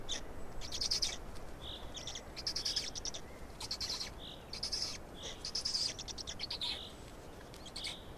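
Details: Estonian black storks during feeding, 16 May 2019, 12:47: soft husky notes between repeated crackling bursts and clicks.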